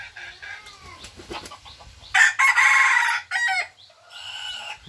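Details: An F2-generation junglefowl, described as very vigorous, gives one loud, harsh, drawn-out crow lasting about a second and a half, broken into several segments, after quieter scratchy background noises.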